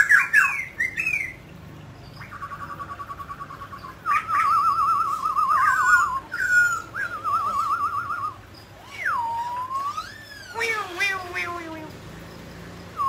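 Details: Mutant grey laughingthrush singing and dancing, alternating long trilled whistles on one pitch, a slow looping whistle that dips and rises, and sharp, scratchy chattering bursts, with quiet gaps between phrases.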